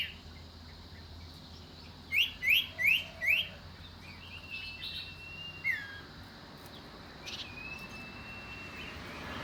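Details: Common iora giving a short run of four rising chirps, then a single downslurred note after a pause, over faint background hum.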